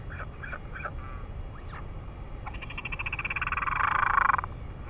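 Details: Northern royal albatross recorded in New Zealand on 3 May 2020: a few short nasal notes, then a loud, rapidly pulsed, buzzy call that swells over about a second and a half and stops abruptly, over steady low wind rumble.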